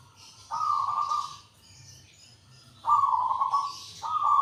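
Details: Rolling, buzzy cooing phrases from a local zebra dove, each about a second long, the second and third coming close together after a pause, over soft hissing background noise.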